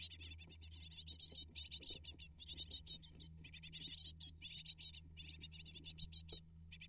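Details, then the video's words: Great tit nestlings, eight of them, begging while parents bring prey: dense, continuous high-pitched chittering made of fast repeated notes, broken by short gaps, above a constant low hum. "Amazing Great Tit Parents Deliver 12 Prey To 8 Hungry Nestlings In Just 12 Minutes!"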